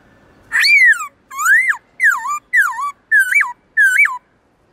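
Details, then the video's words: Loud, clear forest-voice singing from a black-throated laughingthrush: six rich whistled phrases of about half a second each, some arching downward, others dipping and rising in a hooked shape, evenly spaced. "Khướu bạc má HÓT GIỌNG RỪNG tone dài to rõ cực hay"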